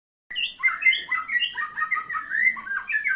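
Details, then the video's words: White-rumped shama singing a dense, fast run of varied whistled and warbled phrases. Notes rise and fall in quick succession with high thin squeaks above, and there is no pause after the song begins. "murai batu pastol mutah materi"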